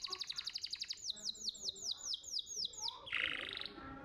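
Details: Canary contest-champion training song meant to prompt young canaries to sing: a fast series of bright descending chirps, then sweeping downslurred whistles repeated about four per second, ending in a dense buzzy trill.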